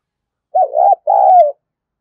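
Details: Spotted dove decoy coo meant to stir wild doves to coo and call back: a single two-note phrase, a wobbling first syllable followed by a drawn-out, slightly descending mellow note, no background sound.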